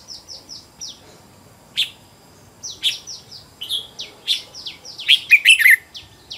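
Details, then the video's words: Caged decoy red-whiskered bulbul kept and trained at home, singing fired-up fighting song to lure wild birds: a run of short, high, downward-sliding chirps, then loud bubbly warbled phrases building toward the end, over faint steady hiss. "Chào mào mồi gọi bổi"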